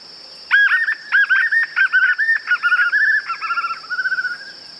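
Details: White-eared puffbird song in its natural, unedited sound: a long, rhythmic series of around twenty whistled notes, even at first, then quickening and softening into a trill-like ending, with a constant high-pitched hum behind.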